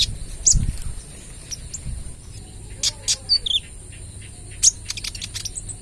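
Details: Kolibri ninja trotol sunbird in rapid shooting-style song used as a lure. Sparse very high ticks, then a few short downward-sliding whistles near the middle, with faint low background noise.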